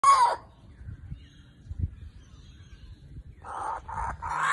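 A kookaburra gives a brief harsh note, then after a pause three coarse, raucous cackles in quick succession, with faint low background rumble.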